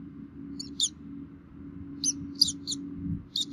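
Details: Minnesota bald eagle nest on 3 May 2016 at feeding time, both adults bringing food to the chicks; a few sharp, high-pitched squeaks in short bursts above a low humming background.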